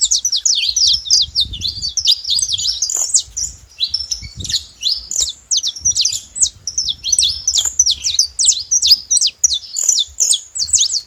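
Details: Several wild saffron finches, free in nature, singing: a dense, unbroken stream of sharp, high chirps and quick down-slurred notes, overlapping at times, with faint low rumble underneath.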